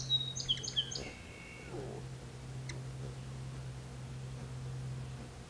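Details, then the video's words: Lakeshore song sparrow, with a ruby-throated hummingbird at a nearby feeder, gives high thin whistled notes and a short lower trill in the first second and a half, then quiet apart from a constant low hum. "A song sparrow sings along the lake shore"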